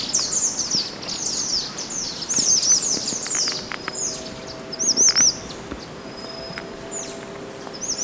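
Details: Wild mountain white-eye, used as master song for training cage birds: bright high chattering phrases, then separated looping up-and-down whistled notes toward the end, with gaps between phrases.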